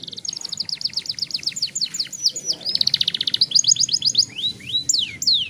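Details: Rolling song of a young canary kept in a cage, used as a prompt for other young birds, rapid trilled runs of repeated notes, a dense buzzing roll, then rising and falling whistles.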